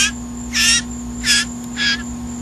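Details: Young blue jay being fed by hand gives three loud, grating shrieks in quick succession, about half a second apart, over a constant low electrical hum and the feeder's coaxing words.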